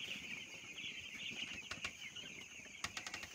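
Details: Farm-raised broiler chicks, a busy chorus of high, overlapping cheeping from many young birds, punctuated by several sharp clicks and knocks in the last second.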